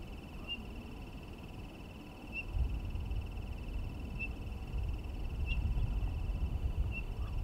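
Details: Townsend's solitaire giving short, clear whistled single notes, five of them spaced roughly one to two seconds apart, over a steady high-pitched hum and a low rumbling background.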